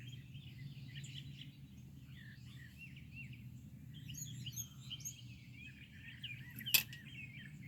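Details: Early morning birdsong: a chorus of chirps, twitters and thin whistled notes from several birds over a constant low hum, with one sharp click near the end.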